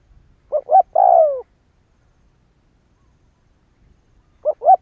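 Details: Spotted dove call used as a lure to make other doves call: two short low coos and a longer drawn-out falling coo, then a pause and two more short coos.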